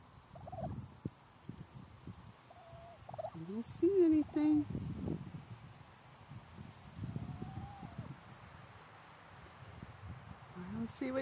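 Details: A wild turkey hen living on a residential street sees danger in the sky and gives a few sharp, rising-then-falling alarm notes while her chicks hide, amid quiet rustling and a faint high whistle.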